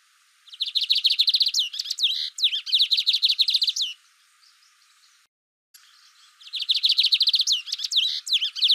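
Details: Song of a lined seedeater, known as bigodinho: fast runs of sharp, high, evenly repeated notes ending in upswept whistles, two phrases, then a short pause and near silence before another rapid trilling phrase starts.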